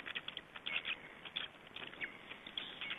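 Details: Black storks at a nest in Estonia, recorded while being fed on 20 May 2012; short scratchy, chattering bursts tumble out in quick uneven succession, mixed with a few high squeaks.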